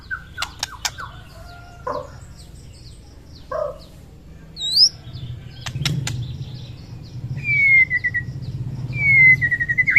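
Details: White-rumped shama morning song to build fighting spirit: sharp clicks, short nasal notes, then long sweeping whistles that fall and flatten, repeated near the end, with low rumbling noise beneath.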